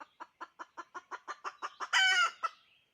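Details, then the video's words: Female chicken gives about ten evenly spaced clucks that grow slightly louder, then one loud, rasping, drawn-out squawk, with a final short cluck after it. "Poj qaib dib tsauj thiab seev zoo เสยงเมยไก่ต่อกะร้อง"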